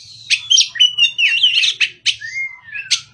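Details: An Oriental magpie-robin sings in the morning, a rich, varied run of sweet whistles, chips and sliding notes, ending with a long, smooth descending whistle.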